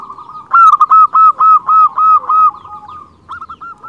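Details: Zebra dove of local stock singing as a lure for other zebra doves: a loud, brisk sequence of about eight evenly repeated clipped notes, then softer trailing coos.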